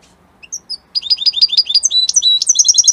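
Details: European goldfinch, Italian type: a few scattered high notes, then a burst of rapid repeated chirps that turns into brighter, ringing twitters and trills; there is little background noise.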